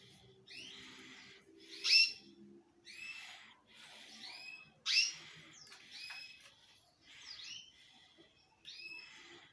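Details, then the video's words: Male canary singing with strength. Curved whistled notes come in spaced phrases, with two sharp, loud chirps standing out and a faint low murmur early on. "UM AMIGO MEU QUÊ ENTENDE DE CANÁRIO QUÊ MACHOS ME FALOU CANTA BEM FORTE"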